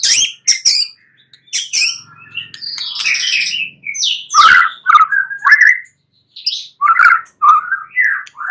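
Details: White-rumped shama at night: a lively, varied song of sharp ticks, buzzy phrases and rich whistled notes, sung in short bursts separated by brief pauses.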